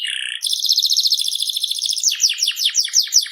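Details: Canary of the FI series: a brief low whistle, then a long rapid buzzing roll held for over a second, ending in a string of quick downward-sweeping chirps.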